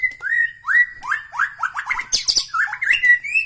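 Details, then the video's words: White-rumped shama from Bahorok, Medan, singing a loud varied song of rich whistled phrases, upslurred notes and rapid twittering runs, one after another with short gaps. "ciri ciri murai batu Medan Bahorok"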